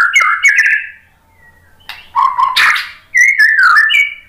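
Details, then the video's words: Loud, rich song of a white-rumped shama, played to provoke other birds into answering: slurred whistles and warbles in three bursts separated by short gaps, including a crackly noisy phrase and a final run of wavering notes. "OCEHAN MURAI BATU memancing BUNYI jadi NYAUT GACOR NGEPLONG"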